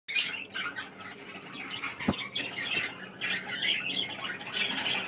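A budgerigar chatters nonstop in scratchy, high chirps and squawks, with a brief click partway through and no other sounds.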